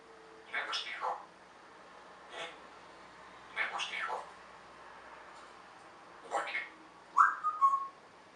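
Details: Talking African grey parrot kept as a pet: groups of quick speech-like syllables separated by pauses, ending in a short, bright whistled note that is held steady.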